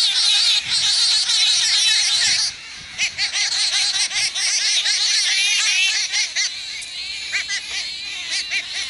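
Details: Jungle babblers squabbling over territory, a gang fight in the Indian subcontinent: loud harsh chattering, cackling notes in fast bursts around two per second, several birds calling over one another, laughter-like and nasal, fading into scattered squeaks.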